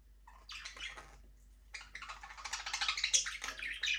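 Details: Budgerigars in a small aviary, flying freely, give bursts of scratchy warbled chirps that start after a short pause and then build into a busier, louder chatter toward the end.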